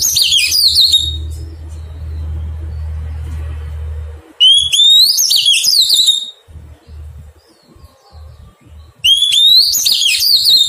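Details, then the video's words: Wild-caught Oriental magpie-robin during taming, giving three loud whistled phrases, each opening on a rising note and breaking into fast warbled trills, spaced about four seconds apart. A low rumble fills the gaps. "Thuần hóa chòe than bổi"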